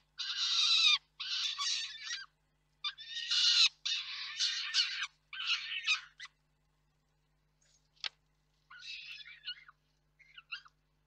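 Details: Peregrine falcons at the Reda nest site in Poland on 4 May 2023, as one parent brings food and the other feeds it. Harsh, raspy bursts of calling come in uneven runs, then a pause and softer, shorter calls.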